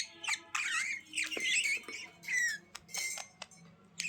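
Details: Budgerigar chatter: harsh squawky warbled notes with rising and falling tones, bursts of scratchy sound separated by short pauses, faint low hum behind.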